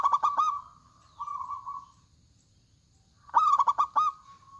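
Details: Loud local zebra dove (perkutut) singing as a lure. Rapid staccato coo notes, a smooth level purr, a silent pause, then another burst of clipped coos trailing into a purr.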